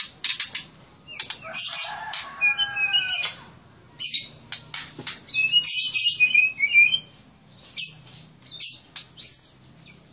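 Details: Singing White-rumped shama, a kept bird from Aceh, mixing harsh squawky bursts, sharp clicks and quick rising and falling whistled notes in a rich, rapid phrase.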